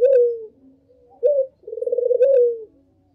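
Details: Barbary dove calling as a lure: a smooth low coo, then a short clipped note, followed by a long rolling, vibrating coo that levels off and fades, all deep and mellow.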